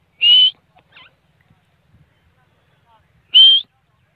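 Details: Grey francolin (teeter): two loud, clear, slightly rising whistled notes about three seconds apart, with a faint soft note between them. The setting is otherwise silent.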